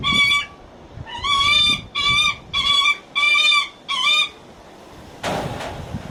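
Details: Coaxing, attention-seeking calls of a captive Lanner falcon at a Japanese bird park, Kakegawa Kachoen: six loud, nasal, ringing wails at about one-second intervals, followed by a short clattering knock.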